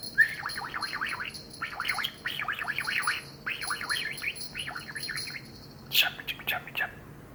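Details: Indoor pet budgerigar, male, aged eight, talking in response to a bell on a hot summer day: rapid bursts of warbling, zigzag chatter in repeated phrases, a brief sharp chirp near the end, soft bell ringing throughout.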